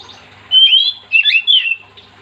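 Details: Oriental magpie-robin in full, lively song, a recording meant to prompt other magpie-robins to sing: three loud, clear whistled phrases of sliding and twisting notes over about a second and a half, with a faint low hum beneath.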